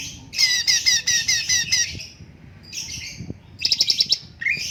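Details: Cucak cungkok bulbul song used for training other birds: a loud, rapid, rattling run of chirps, a pause, then quieter high twitters and a fast pulsed trill.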